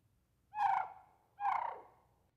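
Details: Common Raven giving its warning trill before a fight, telling other ravens or intruders to back off or be attacked: two rolling, rattling trills about a second apart, harsh and sandhill-crane-like.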